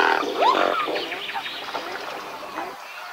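A swan gives nasal, honking calls with a quick rising whoop, followed by a run of softer, rough murmuring notes.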